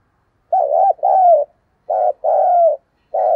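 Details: Coaxing coos of a spotted dove in the thổ voice style, a decoy for wild birds: quick run of paired hoots, short then longer and falling, repeating about every second.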